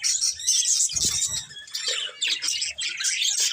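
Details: Budgerigars warbling while eating, a loud unbroken twittering chatter with high whistled notes and a few low thuds of feeding.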